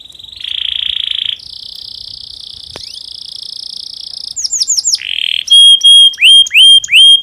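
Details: Domestic canary song in breeding condition, meant to stimulate other canaries to sing: long steady buzzy rolls, then curved whistled chirps and loud clear notes sweeping down in separate bursts.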